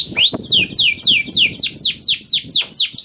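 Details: Canary lure song to get other canaries singing: about nine loud, evenly spaced downward-sweeping whistles, roughly three per second, with faint low background rumble.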